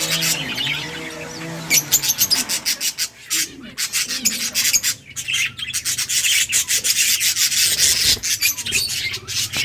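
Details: Breeding budgerigars chatter almost nonstop while playing, a dense rasping stream of high, scratchy chirps that continues through the recording, with a low hum early on.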